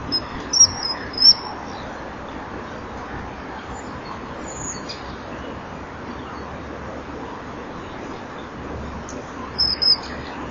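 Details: Male and female common kingfishers at a breeding-wall camera, 18 April 2013, late afternoon, exchanging calls before mating. Brief piercing high whistles come near the start and again near the end, separated by a long stretch of quiet background hiss.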